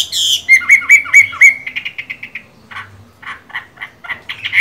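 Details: Moulting Chinese hwamei, eyes the colour of mung beans, gives five bright upslurred whistles in quick series, then a fast trill and scattered sharp chips with short pauses.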